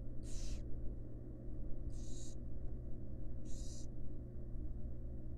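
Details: Wild barn owls in a monitored nest box as a female feeds her fledglings: three harsh, breathy hissing bursts, each about a third of a second, spaced roughly every 1.6 seconds over a steady low hum.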